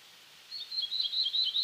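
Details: Black-throated blue warbler song, cut short: a string of high, wavering, slurred notes that repeat rapidly without reaching the final rising buzz. The background is quiet.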